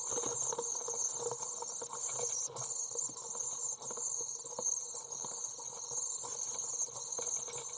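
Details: Twenty-four-day-old Common Swift chicks being fed in a nest box, 23 June 2012; a continuous, very high, shrill buzzing trill runs throughout, with soft scratching and rustling movements in the box below it.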